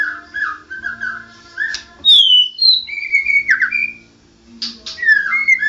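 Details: White-rumped shama, a national champion singer, in ngoceh ngerol gacor style: soft low phrases, then a bright falling whistle and varied slurred notes, a quiet pause, and rising whistles again.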